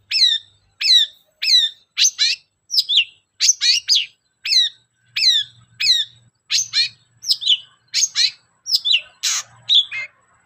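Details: Long-tailed shrike song offered as a lure for singing birds: steady string of sharp high downslurred whistles and squeaky notes, roughly one to two per second, with a faint low hum in places.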